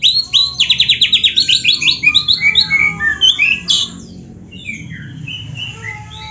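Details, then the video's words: Oriental magpie-robin singing vigorously, a rich training song for provoking rival magpie-robins: a fast run of about fifteen bright, repeated chirps, then varied whistled and buzzy phrases that fade toward the end. "MASTERAN KACER GACOR ISIAN MEWAH ‼️ - AMPUH BIKIN KACER LAIN CEPAT PANAS"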